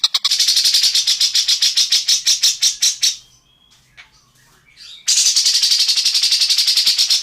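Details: Harsh rattling chatter from an Indonesian bird, tengkek buto or cucak jenggot, in a songbird training recording: rapid dry ticks for three seconds, a two-second near-silent gap with faint thin sounds, then the rattle resumes.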